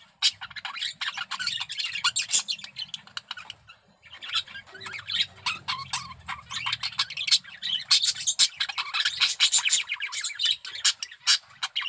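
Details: Male budgerigar in breeding condition delivers an extended scratchy warble of clicks, squeaks and squawks, nearly nonstop, briefly pausing before resuming louder, with a soft low hum in the background.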